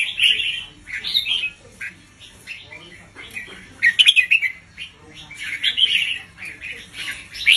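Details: Doubled-style song of a red-whiskered bulbul kept as a teacher bird for young birds; rich fluty warbled phrases follow one another steadily over a faint low background hum.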